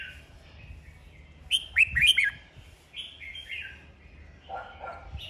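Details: Red-whiskered bulbul in a singing duel, used to stir newly caught birds into song: loud, rich warbled whistles in quick, varied bursts, with softer sweet phrases between and a low background hum.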